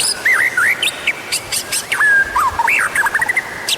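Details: Rich, varied white-rumped shama song meant to stimulate other birds to sing; looping whistled notes and sharp high accents in quick succession, with a brief steady whistle in the middle.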